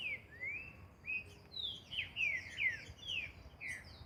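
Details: Green-winged saltator singing in the wild for training, a quieter string of rising and falling whistled notes over steady background hiss and faint distant birds.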